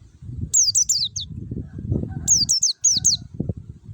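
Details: Forest-type white-eye (pleci ngalas) lure recording meant to prompt caged birds to sing: very high, thin notes sliding downward, delivered in quick bursts of three or four, over a low muffled rumble.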